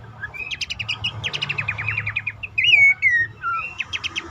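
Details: Abbott's babbler calling as a lure for stressed or silent caged birds. A quick run of chirping clicks leads into loud, clear whistled notes that swoop down, then more short chips.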